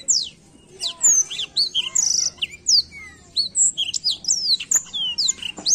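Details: Black-throated canary (Crithagra atrogularis), song.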